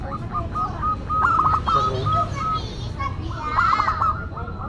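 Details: Local zebra dove singing actively, its voice called classic and unique. Sustained cooing notes and rapid trilled bursts overlap with lively background chatter from many other birds.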